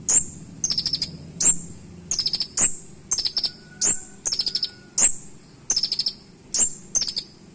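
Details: High-pitched tutor-style fill-in song from a kolibri ninja, the purple-throated sunbird, sharp and shooting: piercing thin whistles each trailed or preceded by quick chattering runs of tiny chirps, repeated continuously, with a faint steady tone briefly in the background.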